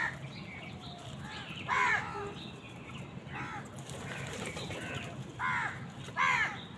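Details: Crows competing with wild birds for food give scattered hoarse caws, with single and paired calls spaced a second or more apart, and faint rustling in between.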